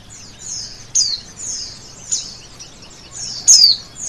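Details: A male oriental white-eye sings a steady stream of thin, high chirps, with crisp descending whistles recurring throughout and the loudest near the end.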